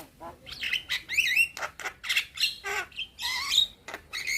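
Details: Young Javan myna singing gacor full isian, a song said to draw answers from other mynas: bright chirps, slurred rising whistles and buzzy warbles in quick phrases.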